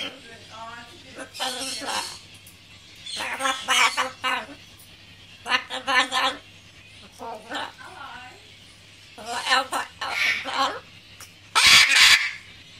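A macaw imitates a dot matrix printer with harsh, buzzy, rattling bursts of rapid ticks, each lasting about a second, with brief pauses between them. A low hum runs underneath.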